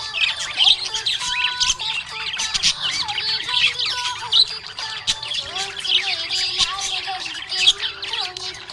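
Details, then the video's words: Happy budgerigar chirping: dense, continuous chatter of high squeaky warbles and short squawks, with steady lower tones of background music running throughout. "Happy budgie chirping sound"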